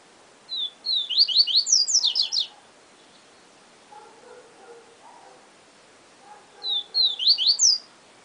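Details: Siu Siu song of a Yellow-bellied seedeater: two high, bright phrases of quick falling whistles and sharp sweeps about six seconds apart, with faint lower chirps in between.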